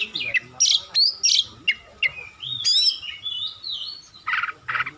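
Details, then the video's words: Kacer, the oriental magpie-robin, singing on a recording made to coax silent birds: short sharp chips, whistled upslurs and a flowing warbled phrase, ending with two buzzy bursts. "Masteran burung Kacer/Klacer gacor dor nembak durasi panjang"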